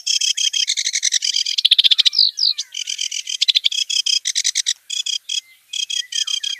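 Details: A wild kerak basi sings a varied phrase: fast grating chatter, a brief run of descending slurred whistles, then more clipped, harsh notes separated by short gaps.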